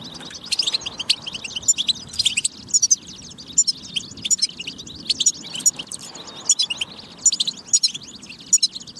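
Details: Goldfinch singing in a batba track intended to get goldfinches singing; lively high twitters, tinkling chirps and brief buzzy notes in quick uneven bursts, with a quiet hum in the background.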